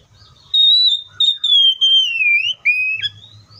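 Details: Oriental magpie-robin song: a long, clear, high whistle held nearly level, broken into several drawn-out segments that slide gradually lower, then a short lower note and a final rising whistle, with faint low hum beneath.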